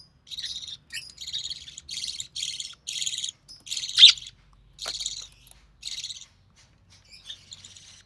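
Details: Budgerigar chick of the recessive pied variety, born early June 2020, during feeding by its mother: short, harsh buzzy rasps about half a second long, repeated in a steady series with brief silent gaps and one sharper squeak.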